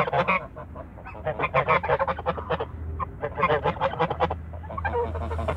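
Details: Toulouse geese in a backyard honk in loud, harsh bursts, several calls overlapping in quick chattering runs separated by short pauses, over a low background rumble.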